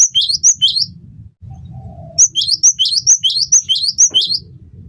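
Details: Gelatik batu, the cinereous tit, singing hard as a tutor recording for songbirds: a few clear high-then-lower double notes, a short lull with soft low noise, then a run of eight rhythmic two-note phrases.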